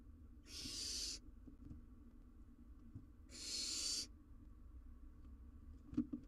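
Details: Young wild barn owl on a live cam, handling a massive jird, utters two long, airy, screechy hisses roughly three seconds apart; a faint knock near the end and a low hum throughout.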